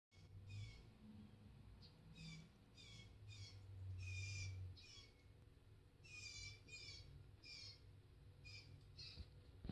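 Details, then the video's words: A nagging blue jay, recorded 8/7/19, gives harsh, raspy notes, about a dozen in ten seconds, in uneven bursts over a steady low hum. "Nagging blue jay"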